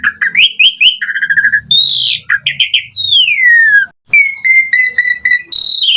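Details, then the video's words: Full isian song of a gacor Asian pied starling with mompa: chirps and trills, a sweeping whistle gliding sharply down, then clear level whistled notes. A faint low murmur at the start. "JALAK SUREN GACOR FULL ISIAN Mompa"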